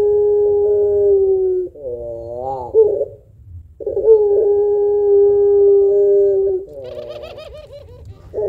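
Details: Actively singing puter pelung spotted dove used to stimulate other birds. Two long level coos, each followed by a wavering warbled phrase, with a faint higher chattering sound near the end.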